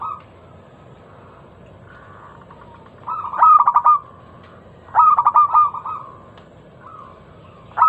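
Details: Zebra dove, local type, singing a lure song meant to draw song from other doves: quiet drawn coos, then two loud bursts of rapid pulsed cooing about a second and a half apart, and another note starting at the end.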